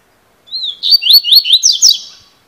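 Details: A double-collared seedeater (coleiro, "fibra" song type) sings a quick, bright phrase of about five rising, slurred whistled notes, ending in sharper buzzy chips, with a quiet background.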